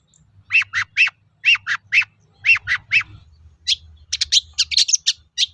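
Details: Long-tailed shrike singing energetically, used as a lure to get other shrikes to answer: pairs of harsh, buzzy chattering notes repeated in short bursts, then a denser run of scratchy squeaks near the end; faint low hum beneath.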